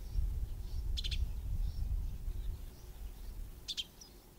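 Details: Wet, bedraggled juvenile Red-billed Buffalo Weaver begging for food from an adult feeding on White Berry Bush fruit at the edge of Mpondo Dam, Kruger National Park: two short bursts of harsh, stacked chattering notes, with low rumbling wind or water noise.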